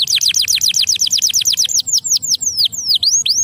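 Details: Canary singing to stimulate lazy canaries: a fast even series of high falling whistled notes, then slower, wider sweeping whistles.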